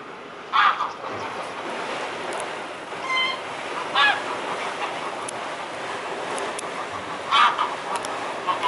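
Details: Mute swan recorded on 22 May 2017 at 12:52, giving three short, nasal honking calls spaced several seconds apart over a steady roar of wind or water noise.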